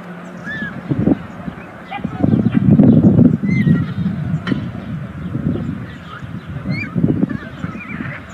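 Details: White storks at a nest built on a chimney in a local government yard in Ságvár, Hungary, near meadows and wetlands, on the 36th day of 2024 nest camera footage; rapid low knocking bursts in uneven runs, with faint thin whistles of other birds above.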